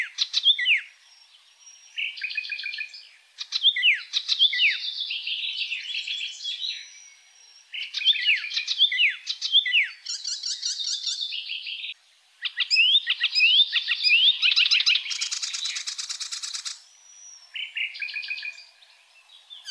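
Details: Energetic song of an Oriental reed warbler, a migratory bird from East Asia wintering in Indonesia's rainy season: croaky, scratchy phrases of repeated slurred notes running almost continuously, with a brief harsh rattling burst near the end.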